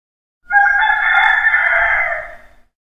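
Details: A rooster crowing in the morning gives a single crow of about two seconds, loud and harmonic, holding steady before trailing off at the end.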